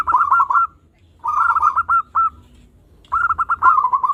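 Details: Local zebra dove delivering three phrases of fast, stuttering soft coos, each breaking into separate, evenly spaced notes toward the end, with pauses between phrases.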